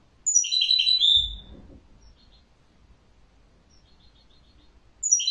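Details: Rapid high twittering phrase with a clear whistled finish, then near silence with faint distant chirps before the song resumes.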